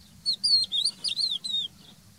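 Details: Crested lark (Galerida cristata) song: a quick run of clear, high whistled notes slurring up and down, several phrases in under two seconds, with a faint low hum beneath.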